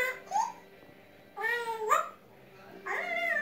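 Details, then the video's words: African grey parrot talking indoors: wavering, voice-like syllables with bending pitch in three separate bursts, sounding like imitated speech. "Smart Bird, The African Gray Parrot"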